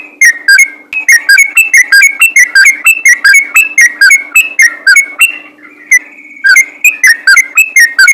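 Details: Sooty-headed bulbul giving rapid 'ropel' song to call other bulbuls into singing; quick, loud, slurred chirps, then a held whistled tone and a short lull before the chatter resumes.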